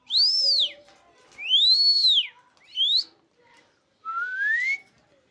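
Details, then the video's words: A parrot imitating human sounds gives four loud whistled notes, the first two arched up and down, a third rising sharply, then a long slow rising whistle, with pauses between. "Amazing talking parrot"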